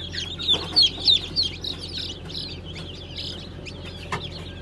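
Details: Newly hatched Brahma chickens of Modled, Light, Gold and Blue Brahma varieties, 20 April 2020: a few loud, high peeps in a quick run, then softer overlapping cheeping from many birds above a constant low hum.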